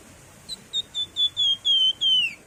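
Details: Javan fulvetta (wergan jawa, flamboyan) in active song, styles called nyiul, nyuling and ngebren: a clear run of about seven high whistled notes, each longer and louder than the last, gliding lower and ending in a falling slur. Background quiet.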